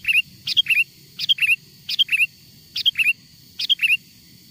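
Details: Lively sooty-headed bulbul singing a lure song taken from wild birds to call wild bulbuls in: quick bubbly two- to three-note phrases repeated rapidly, about seven in under five seconds, over a faint low hum.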